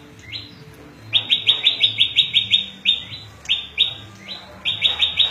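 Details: Small prinia known locally as prenjak lumut singing a varied song for luring wild birds: high rising chips delivered in fast trains, then spaced singly, then fast again.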